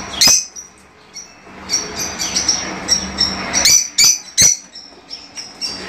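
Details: Caged Fischer's lovebirds chirping to encourage mating: irregular thin high chirps with several sharp, loud clicks or squeaks standing out, over a low steady hum.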